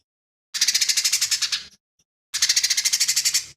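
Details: Lesser green leafbird in full song, its repertoire stated to include imitations of fighting sparrow, tengkek buto and cililin. Two bursts of harsh, rapidly pulsed chattering notes, about a dozen beats each, separated by a short silence.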